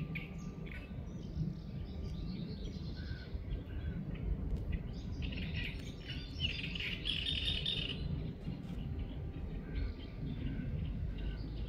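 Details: Little grebe at Mali Ponirek on 14 June 2024, giving high, chattering trill-like calls that swell midway, over a heavy low rumble of wind and background noise, with other faint bird chirps.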